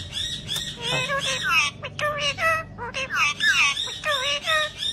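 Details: A talking parrot chants "Allah Hu" repeatedly in a shrill, nasal, speech-like voice, with wavering rising and falling tones in short bursts about every two seconds.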